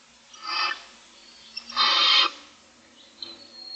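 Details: Hungry barn owl owlets, a brood of six in their nest on day 25, make rough hissing screeches, two strong noisy blasts about half a second each, then a weaker fading rasp near the end.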